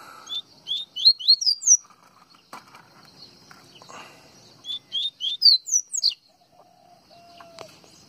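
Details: Singing yellow-bellied seedeater, known locally as coleiro baiano, from Pernambuco: two phrases of quick rising chirped whistles, accompanied by clicks, knocks and handling noises, plus a faint whistled tone near the end.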